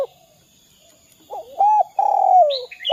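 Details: Spotted dove 'kuk 2' call, used to lure other doves into calling: after a quiet start, a low note, a steady hoot and a long buzzy falling coo, then high chirps from another bird.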